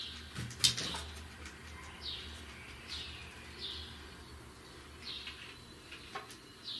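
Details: Great tit giving short, high, downward-slurred whistled notes, spaced irregularly about a second apart, over a quiet hiss with a sharp click near the start.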